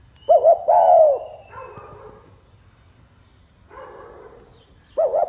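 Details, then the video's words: A spotted dove sings in the 'pha kim' style: two short coos and a long falling coo. Softer, lower cooing follows, and a new phrase begins at the end. "Tiếng chim cu gáy giọng pha kim"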